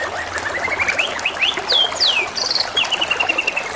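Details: Singing canary with babbling water behind: a soft rising warble, then sharp downward-sweeping whistles and a buzzy high trill, ending in a level rapid twitter, all over a constant trickle of water.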